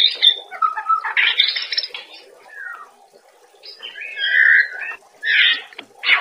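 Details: Caged white-rumped shama master song, used as daily training material for cage birds: varied whistled and chattering phrases, some sliding down, in bursts separated by short pauses, over a steady low hiss like running water.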